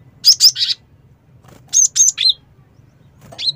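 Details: Cinereous tit call used as a lure: two bursts of three sharp, high chirps, each burst about half a second long, separated by a pause, with a low steady hum underneath.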